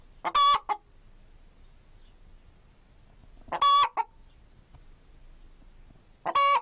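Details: Chicken (Gallus gallus): three loud, isolated squawks about three seconds apart, each trailed by a brief cluck, separated by near silence.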